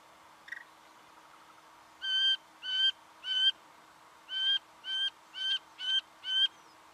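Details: Singing honeyeater in Victoria, Australia, November 2011, giving a series of eight harmonic, nasal, evenly pitched notes at roughly half-second intervals after a brief sharp chip.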